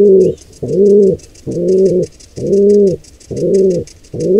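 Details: Wild pigeons at a nest where a squab is attacked by an intruder pair: loud, low hollow coos about half a second long, repeated roughly every 0.9 seconds, with faint rapid ticking in the background.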